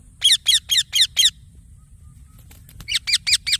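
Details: Green parrot chick chirping: a run of five loud, high, harmonic notes, a short silence, then four more slightly softer chirps, over a faint steady high whine and low hum.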